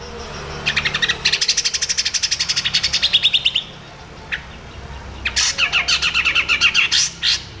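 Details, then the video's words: Cucak jenggot master song for training other songbirds: long fast rattling chatter of evenly repeated high notes, a pause with a single chip, then another quick chattering burst. "CUCAK JENGGOT CRECET cocok untuk masteran MURAI BATU ,KACER, CUCAK HIJAU KESAYANGAN ANDA"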